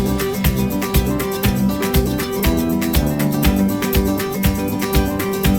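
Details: Strummed acoustic guitar music plays with a steady beat and no animal voices.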